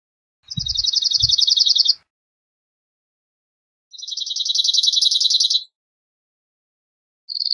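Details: Emberiza cirlus, the cirl bunting, singing: two level rattling trills of rapid identical notes, each under two seconds, then the start of a third, with two soft low thumps near the beginning.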